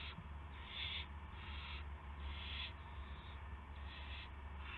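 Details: Owl at a nest on a live camera, 8:00 PM on March 18, 2016, as prey (a gopher) is delivered; harsh, breathy hissing bursts of about half a second, repeated roughly every second over a low steady hum.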